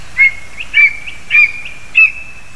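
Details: Lesser spotted eagle at the nest on 2 August 2020 as adults deliver food to their chick: four drawn-out, fairly flat high calls about 0.6 seconds apart, linked by a faint steady tone in a quiet setting.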